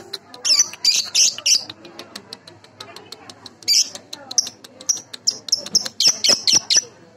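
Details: Baby lovebird calling, used as a lure for other lovebirds: bursts of shrill, scratchy chirps interspersed with quick clicking notes, then a run of rapid high cheeps.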